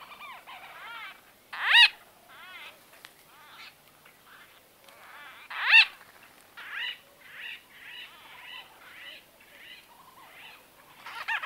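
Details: White-fronted bee-eaters in close-range conversation, exact recording date unknown: bursts of harsh, buzzy, squawking notes, two loud rasping calls near the second and sixth seconds, then a run of shorter chattering notes in quick succession.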